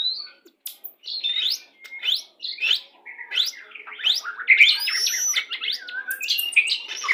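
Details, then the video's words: Pastol-type white-rumped shama song, played to bring birds quickly into breeding condition when pairing: a fast, varied run of sharp whistled notes, upward sweeps and slurred phrases, closely spaced and changing constantly, with clean background. "PANCINGAN MURAI BATU PASTOL CEPAT BIRAHI"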